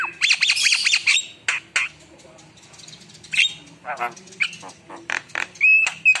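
A Javan myna sings a fast, jumbled song of harsh squawks, rattling chatter and clicks, ending with a clear, level whistle.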